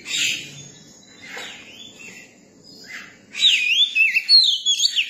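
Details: Young Oriental magpie-robin: quiet scratchy sounds give way to a lively stretch of clear, slurred whistles rising and dropping rapidly over the final two seconds.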